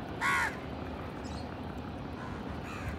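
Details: An Indian house crow in a village, among crows feeding together and fighting for food, gives one loud, harsh caw near the start, with a fainter second caw at the end over steady low background rumble.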